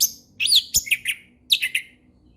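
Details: Orange-headed thrush singing in the relaxed ngeplong style, used as a tutor song for young birds learning ngeplong: short bright chirpy phrases with sweeping and trilled notes, two bursts separated by a brief pause, clean quiet background.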